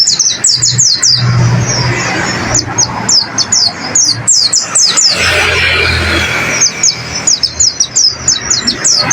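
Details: Pleci (white-eye) song played to train caged birds: thin, high, quickly falling chirps in loose runs, partly masked by broad noise and low hum in the middle.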